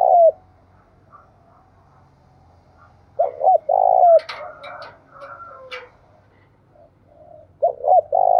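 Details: Spotted dove calling among the Đồng Nai forest hills, where 'gáy thúc' and 'gáy gọi' coos are heard. Three-note coo phrases, two quick and one prolonged, sound a few seconds apart. Scratchy, chattering calls of other birds fill the gaps.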